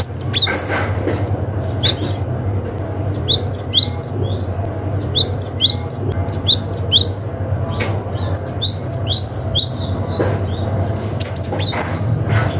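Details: Cinereous tit from the wild calling rivals, a lure for young forest birds: long runs of rapid, piercing, downswept chirps in repeated phrases with short gaps, against a continuous low drone.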